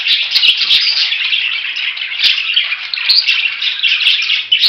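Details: Budgerigar flock noise, a loud and unbroken blur of high chirping and squawking, with several brief sharp clicks cutting through the chatter.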